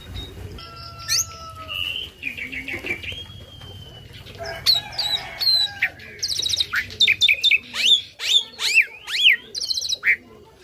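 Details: Tame Asian pied starling singing a forceful song loaded with copied phrases, offered as tutor material that draws replies from other birds. Slow whistles and a buzzy trill give way to a fast run of varied sharp, rising and falling notes.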